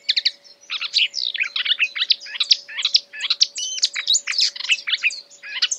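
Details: Continuous mimicking song of a marsh warbler copying other birds, a dense stream of sharp chirps, slurred whistles and scratchy notes tumbling one after another with hardly a pause.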